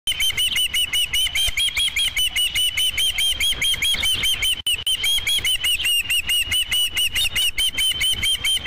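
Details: Osprey at the Dunrovin Ranch nest on 5 July 2016, early afternoon, around the first fish brought in: a steady, unbroken series of high, thin whistled chirps, more than two each second, lasting throughout.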